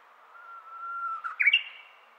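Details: Japanese bush warbler singing in the early morning, its first song of 2023: a long steady whistle held low, then a quick rising flourish ending in a bright, higher note.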